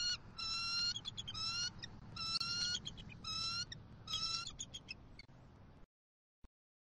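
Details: Bald eagles at a Southwest Florida nest on October 28, 2023, as the male delivers fish gifts to the female, who claims them. Bursts of high, thin piping notes in quick series, about five bursts, then silence.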